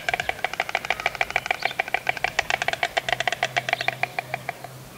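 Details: A courting white stork clatters its bill in a rapid, wooden rattle of dry knocks, several per second, running steadily throughout over a faint low hum.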